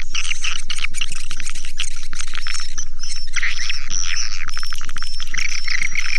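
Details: Swiftlet lure sound: dense buzzy, twittering chirps packed together at high pitch, over a steady low thumping pulse of about four beats per second.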